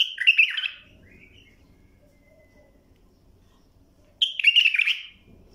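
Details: Bulbul singing for the training of young birds: two bright warbled phrases of quick whistled notes, separated by about three seconds of near silence with a faint low hum.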